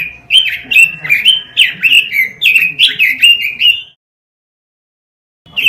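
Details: Robin singing on a master recording for training caged birds: a fast run of about twenty slurred whistled notes, bright and rolling, then silence before the song starts again.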